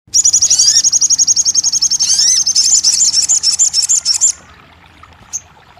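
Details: Crested jay, played as a one-hour therapy recording to make a silent kept bird start singing: a fast, high, dry rattling trill of rapid repeated notes for about four seconds, with a few falling whistled slurs, then near silence.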